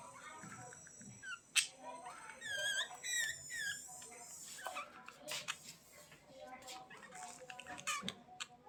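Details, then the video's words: Budgie chatter made of fast warbled phrases, rapid wavering chirps and sharp clicks strung together almost without pause, with softer background chirping from more birds. "Budgies Chirping"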